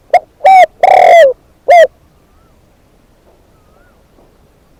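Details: Decoy spotted dove calling: a rapid phrase of four hollow coos, short, fuller, long and falling, then short, followed by a few seconds of quiet with faint distant thin whistles.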